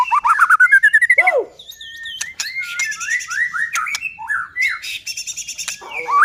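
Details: White-rumped shama in full song, used as a lure to provoke other shamas into singing and agitation: a fast run of rising whistled notes, a swooping downward slur, then varied chirps, sharp clicks and looping whistles.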